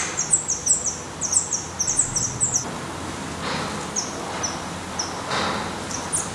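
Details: Black redstart at its nest in Portugal, where the young are being raised until they fledge, giving thin, very high calls in a quick run of about a dozen notes, then a few fainter spaced ones, over soft outdoor hiss and rustling.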